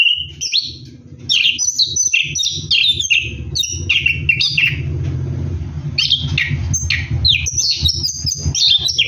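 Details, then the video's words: Orange-headed thrush singing ngeroll style while bathing at night: quick whistled and chattering phrases over a steady low hum, with a short quieter stretch midway. "KICAU ANIS KEMBANG NGEROLL MANDI MALAM"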